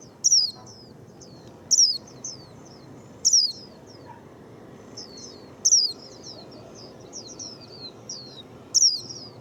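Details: Japanese white-eye, said to sing readily, gives five loud, high, sharply falling notes at irregular intervals, with soft thin twittering in between.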